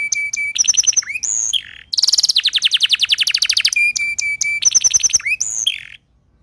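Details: A Timbrado canary (also tagged Belgian canary) sings a fast, varied training song of clipped metallic notes, rolling trills and rapid rattling runs, bright and high-pitched.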